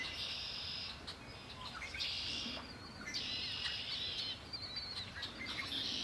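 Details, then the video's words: Birdsong beside Lake Erie, with bursts of high twittering trills that come and go between brief quieter gaps, set against soft outdoor ambient noise. "Birds singing by Lake Erie"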